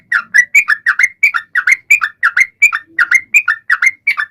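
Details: Sooty-headed bulbul in lively full song, used to prompt other birds to sing: rapid series of short bubbly notes around a mid pitch, paired rising and falling phrases repeated about every quarter second, steady throughout.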